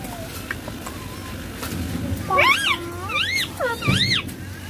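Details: A ringneck green parrot playing on a mobile phone gives three loud, high, arched speech-like syllables in quick succession in the second half, after a quiet start with a low hum.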